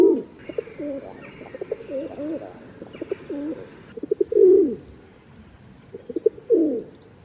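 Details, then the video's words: Rock dove cooing: low, quavering notes wander through the first seconds beside a faint higher steady tone, then two louder drawn-out coos, each led by quick stuttered pulses, swell and fall away. "Rock dove 1h Bird sound."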